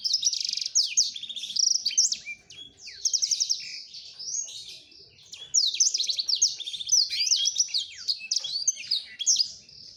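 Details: Courting male black-throated canary pouring out long bouts of rapid trills and slurred high notes toward a female, with brief lulls between bouts.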